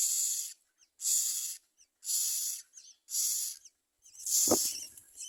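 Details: Common myna at a nest, feeding its young. Harsh, broadband hissing bursts, each about half a second long, repeat roughly once per second. A short lower rasp marks the last burst.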